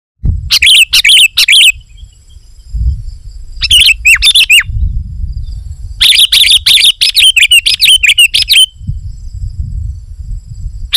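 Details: Sooty-headed bulbul in full, lively song used to lure wild bulbuls: three dense bursts of rapid, sharp chirping notes with short bubbly downslurs, separated by brief pauses and low background rumble.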